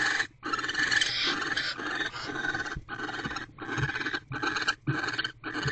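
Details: Barn owls mating in owl box C at 6:52 pm, 25 December 2023, the female holding a rodent in her beak. Sustained rough screeching at first, then shorter rasping bursts in quick succession.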